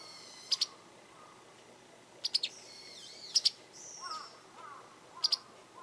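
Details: A vocal Japanese wagtail seen from a garden repeats sharp paired high notes about every second or two, mixed with thinner sliding whistles and softer lower chirps from another bird.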